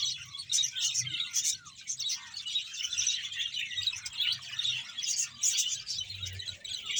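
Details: Dense warbling of a Bahawalpur budgerigar colony of about 100 pairs: fast, overlapping high chirps and squeaky trills running on without a break.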